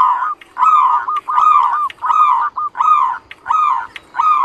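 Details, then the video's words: Loud ngerot song of a Zebra dove, a steady series of rich, throaty rolling coos repeated quickly, more than one per second, with a nasal, harmonic edge. "Perkutut NGEROT Bunyi Suaranya"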